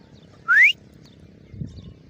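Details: Grey francolin producing a single loud, rising whistle, then quiet with faint low background noise.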